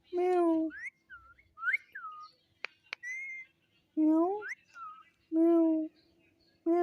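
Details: Pet talking parrot repeating its name: steady voice-like syllables alternate with quick rising and falling whistled notes, plus two sharp clicks midway.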